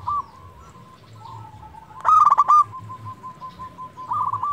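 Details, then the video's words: Local zebra dove in steady song, used as a lure for quiet doves: soft, evenly spaced cooing notes around a loud, rattling burst of quick coos midway, then a final short flourish. "Perkutut lokal gacor pancingan untuk perkutut malas bunyi"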